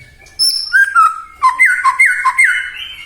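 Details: A white-rumped shama sings to lure other shamas into singing. High pure whistles lead into a loud run of rapid downslurred notes, ending on a rising whistle.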